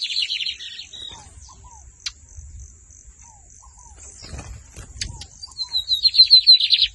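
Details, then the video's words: Lined seedeater from Brazil giving rapid buzzy trilled phrases that open and close the stretch, separated by a quieter gap with scattered clicks and soft falling whistles, over a constant thin high-pitched whine. "BIGODINHO MAGNATA FOI PRA CIMA COM TUDO DO TORNEADO SOLTO!"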